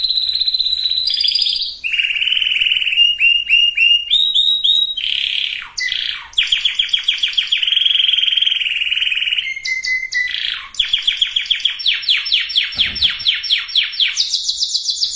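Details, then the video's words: Long canary song for breeding preparation of both sexes, continuous varied phrases: rolling trills, rapid chip series, downslurred whistles and high sustained notes, changing tour every second or two. "اقوى وافضل تغريد كناري لتجهيز الاناث وتجهيز الذكور canary singing"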